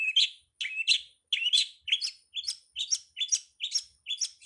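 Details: Long-tailed Shrike song from a master track for training songbirds: steady run of squeaky, slurred chirps in quick pairs, about a dozen phrases with no other sounds.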